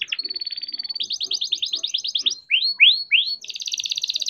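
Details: Young captive-bred canary rolling its song to encourage other canaries: a fast trill flowing into a level buzzy note, rolled pulses, three rising swept whistles, then a dense high buzzing trill.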